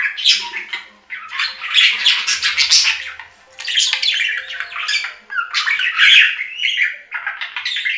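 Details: Budgerigars warble and squawk almost without pause, harsh grainy notes mixed with thin whistles, phrases lasting one to two seconds separated by brief silences.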